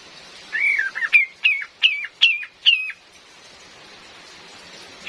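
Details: Cream-vented bulbul, a female, calling in a recording made with rain and used as a lure: a drawn-out slurred whistle, then five crisp hooked notes at a steady clip, over a background hiss.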